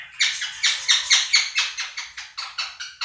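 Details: Harsh, rasping screams from two pet Quaker parrots calling over budgie chatter played to them; about a dozen evenly spaced squawks, each sharply attacked then fading, in three seconds.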